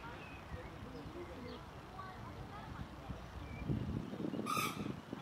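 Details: Common moorhen (Gallinula chloropus) in Tivoli landscape park, Ljubljana, Slovenia, on 19 June 2023, gives one short, harsh, explosive croak near the end, over steady low traffic rumble and faint thin whistles from other birds.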